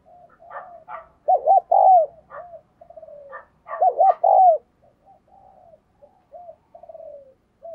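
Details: Spotted dove kept as a decoy, cooing strongly to prompt other doves. Two loud phrases each hold two short hollow notes and a long falling coo. Soft murmured cooing surrounds them.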